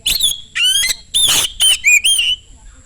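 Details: Oriental magpie-robin in loud rapid song meant to draw other magpie-robins into singing; loud harsh rasping bursts mixed with clear whistled slurs, nearly continuous.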